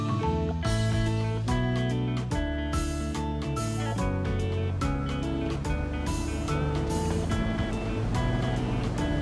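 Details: Steady instrumental music with plucked guitar-like notes and a deep bass line, no animal voices heard.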